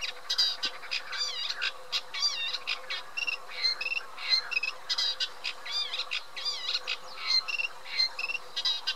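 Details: Lively chattering song of a Eurasian reed warbler: harsh, jerky notes and short rising whistles repeated in pairs and triplets in an unbroken stream lasting several seconds.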